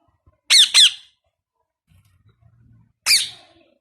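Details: Two quick piercing squawks in succession from a newly acquired pet Indian ringneck parakeet, a pause with faint low rustling, then a third harsh screech that fades out.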